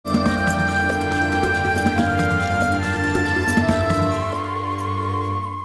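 Steady instrumental music with sustained tones and a soft rhythmic beat throughout, and no animal voice.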